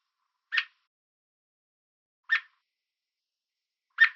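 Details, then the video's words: Sparse warning chips of an American robin on a fence in Southern Ontario, Canada: three sharp notes spaced nearly two seconds apart, aimed at keeping an intruder away, in a quiet setting. "American Robin Chirping Sound"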